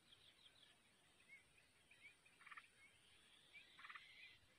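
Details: Yellow-vented bulbul chicks, newly hatched in a wild nest, give faint, high chirps and two short, harsh chattering bursts about a second apart while the parent feeds them, over a steady background hiss.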